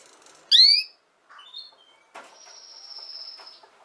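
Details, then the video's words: Canary sound for young canaries learning to sing: one loud, rising, ringing note, then soft short whistles and a long, thin, steady high whistle over light rustling. "Chant De Canari Pour Apprendre Au Jeune Canaries"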